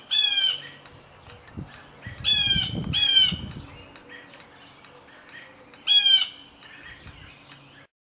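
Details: Blue jay harassing a cat, diving at it: four loud, harsh, raspy screams, each about half a second long, come in two close pairs and one later burst, with soft thumps and rustling in between.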